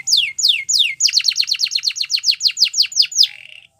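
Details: Canary singing a training melody: three long descending whistles, then a fast run of about twenty downward sweeps, ending in a soft buzzy trill.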